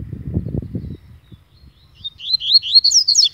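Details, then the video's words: Agitated double-collared seedeater belonging to a friend, bursting into a fast, high warbling song of slurred, twisting notes after a low rumble of handling noise. "Coleiro ZANGADO"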